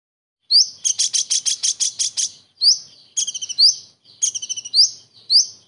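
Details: Common iora singing a song filled with kingfisher imitations and their characteristic bursts. A rapid run of about ten harsh stuttering notes is followed by sharp rising whistled notes and short stuttered bursts, all high-pitched and sounding alone.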